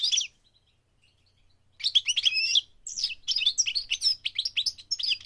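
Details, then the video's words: Migrating goldfinch singing a lively, high-pitched twittering song: a short opening burst, a pause, then continuous rapid chattering phrases of tinkling notes and buzzy trills with brief gaps. "The singing of the migrating goldfinch"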